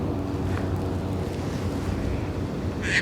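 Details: A Caspian tern at Malibu Lagoon State Beach, California, in June 2018 gives one harsh, rasping crack call near the end, over a steady roar of surf and wind.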